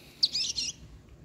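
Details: A two-month-old chestnut-bellied seed finch chick learning to sing gives a quick half-second burst of high, scratchy twittering notes, rapid and not yet fully formed.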